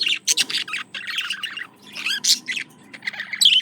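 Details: A male parakeet courts his female with a dense, fast warble of mixed chirps, clicks and rising squeaks, ending in a louder shrill note, with a steady hum in the background.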